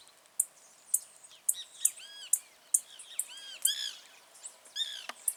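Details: Wild blue-black grassquit in natural surroundings, giving a run of sharp high ticks roughly every half second, interspersed with arched, buzzy chirps sweeping down, and one quick descending note near the end.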